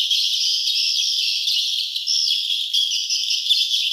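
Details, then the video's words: Swiftlets at a nesting site chatter continuously in a dense, high twittering of overlapping chirps and trills, with no other sounds heard. "suara sarang burung walet ( swiftlet sound )"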